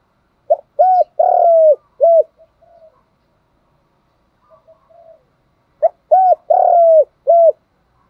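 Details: A spotted dove used as a decoy calls in the morning during the rainy, stormy season, giving two bursts of soft, hooting coos, each a short phrase with one longer drawn note.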